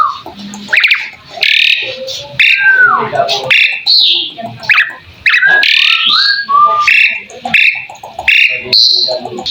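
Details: Asian pied starling singing in a full tutor recording used to prompt other birds to reply: a rapid, varied run of harsh chattering bursts mixed with short rising and falling whistles, broken by brief pauses.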